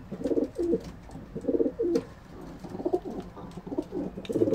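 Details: A flight team of homing pigeons in September, raising a round of chicks after the racing season, gives low, throaty coos in short rolling bursts about every second.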